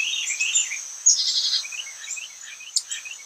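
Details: Carolina Chickadee giving high, thin notes and a brief buzzy burst, its chickadee call having fewer 'dee' notes than the Black-capped's, with a steady high hiss of insects in the background.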